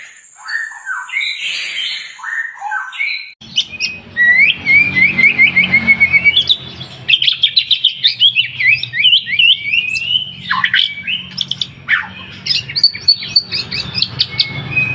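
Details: White-rumped shama singing energetically, played as a lure to get birds singing. Soft opening notes, then rapid chattering runs of high chips, slurred whistles and swooping downward notes, delivered in long continuous bursts.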